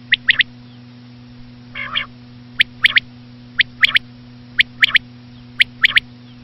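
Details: Common quail, said to be a female, repeating crisp, high, three-note calls about once a second, with one nasal buzzy note early on. A steady low electrical hum runs throughout.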